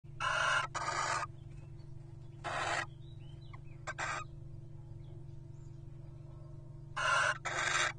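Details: Wild Little Owl pairs courting at nest boxes during the 2023 breeding season. Five harsh, broadband screeching calls of about half a second each come in irregular bursts over a steady low hum.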